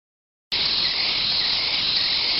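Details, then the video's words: Nest of chimney swift nestlings brought into a rescue center, producing a loud, unbroken, harsh buzzing chorus that starts abruptly and holds steady. "The most annoying sound ever !"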